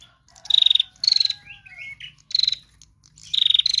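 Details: Lure recording of a female bar-winged prinia: four quick buzzy pulsed trills in under four seconds, separated by short rising twittering notes and a faint low whistle.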